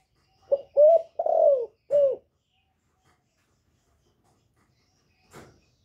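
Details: Female spotted dove, a captive bird calling to excite males, giving one phrase of soft, low hollow coos: a short note, two rising coos and a longer drawn-out falling coo, followed by silence and a faint tap.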